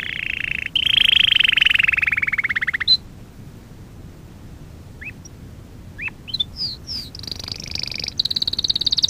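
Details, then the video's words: Canary singing a lesson for young canaries, opening with a fast rolling trill that slowly falls, then a pause with a few scattered rising chips, followed by quick high slurs and a high rapid trill. "Kanarya Ötüşü - 1 (Eğitim - Ders Cd'si) / Canary Singing - 1 ( Education - Lessons Cd )"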